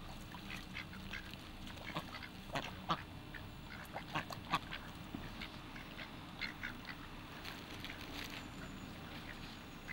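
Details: At feeding time, kept ducks let out a busy run of brief, nasal quacks, several in quick bursts around the middle, amid soft background hum.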